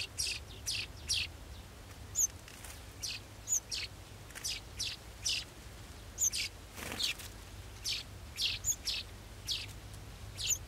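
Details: Nestling golden sparrows anticipating a feed, calling with steady high chirps about twice a second, each a short bright note, repeated throughout with a faint low hum underneath.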